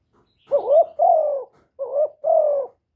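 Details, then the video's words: Close, clean recording of a spotted dove calling and cooing: two matching phrases, each a bending, warbled note joined to a longer, level, gently falling coo, the second phrase following after a short pause. "Chim Cu Gáy GỌI+THÚC+GÙ"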